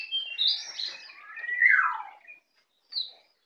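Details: Young white-eye native to Bali, kept as a cage bird and just learning its ngeplong song: high thin twittered notes, then a loud downward-sliding whistle, a pause, and one last short high chirp.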